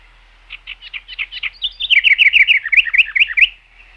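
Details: Bird chirping: a string of short high notes that grows louder into a fast, regular series of sharp down-slurred chirps. It lasts about three seconds, then stops.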